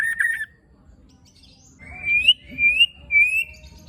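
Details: White-rumped shama rough fill: a short wavering burst, a pause, then three long clear whistles, each rising then levelling off, spaced about half a second apart.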